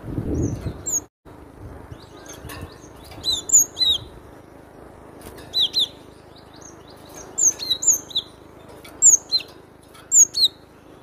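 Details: A cinereous tit sings loudly in scattered pairs and triplets of sharp, high, falling whistled notes spread across the recording. A brief low thud opens it before the singing settles into steady phrases.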